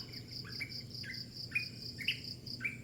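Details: Bird calling at early morning with about six sharp upslurred chirps, unevenly spaced, over a constant pulsing chorus of crickets.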